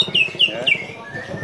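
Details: Competition-winning Greater green leafbird giving three quick, bright whistles that slur downward, about one every quarter second, then a thin steady tone. A low murmur runs underneath.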